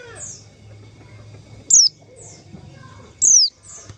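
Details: White-eye call for luring white-eyes into traps: two piercing notes slurring steeply downward, about one and a half seconds apart, over a low rumbling background.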